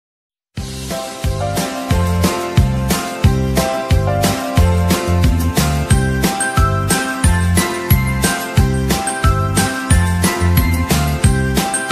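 Instrumental music with a steady bass beat and bright jingling, bell-like percussion throughout; no animal calls can be made out.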